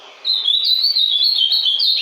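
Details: Kept by a breeder and returning from moult, an ultramarine grosbeak sings a steady, continuous phrase of bright, slurred whistles rising and falling quickly.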